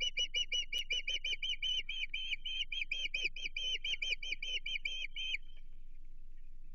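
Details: Osprey calling from a Chesapeake nest against an intruder, 15 June 2023: an unbroken volley of high, sharp whistled chirps for about five seconds, then it stops and only a low hum remains.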